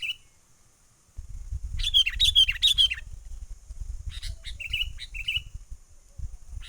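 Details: Wild sooty-headed bulbul giving a trapping lure call, full menggaruda style: a loud bubbling phrase of falling chirps, then scattered short notes and brief level whistles over steady low rumble.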